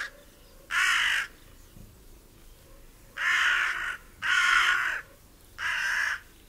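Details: Hooded crow feeding on an acorn in a meadow full of crows; four loud, coarse caws, one alone and then three closer together after a quiet gap.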